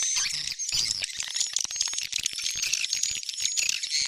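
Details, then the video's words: Swiftlet attracting sound, Tarik Onar type: a continuous jumble of squeaky chirps and sharp clicks, busy and overlapping, with faint high whistles threading through. "Suara panggil burung walet || Sp Tarik Onar"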